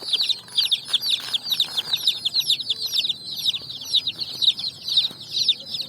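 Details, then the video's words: Colourful chicks running about on sand at evening while foraging; steady overlapping high-pitched cheeping from a crowd of chicks, each note a quick downward sweep, with faint low background rumble. "Chicks Chirping"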